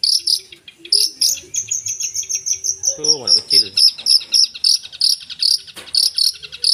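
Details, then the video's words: Energetic long-tailed shrike song full of filler phrases: piercing high chips and a quick rattle, a brief descending chatter, then steady sharp notes repeated several times a second. "Suara Burung Cendet Gacor full Isian"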